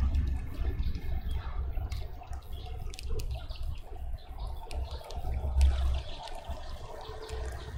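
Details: Rushing, trickling water and deep rumble with scattered knocks, with no clear animal voice.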